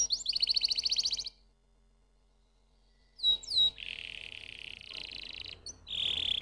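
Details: Canary gives a brief buzzy trill, falls silent for about two seconds, then adds two sharp whistled slurs and a long low grating roll, ending in another rapid buzzy trill.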